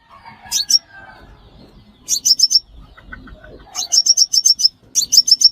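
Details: Sunbird calls used as a lure for trapping: three bursts of very high, sharp chipping notes, each burst of four to seven quick notes with short pauses between, over faint low background rumble.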